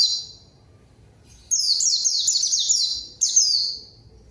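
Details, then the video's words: Short white-eye song sequences of fast, high, falling whistles after a quiet start, with a final brief phrase. Used to entice rival white-eyes into responding. "PANCINGAN PLECI GACOR MANGGIL LAWAN PLECI BAHAN LANGSUNG RESPON DAN IKUT BUNYI"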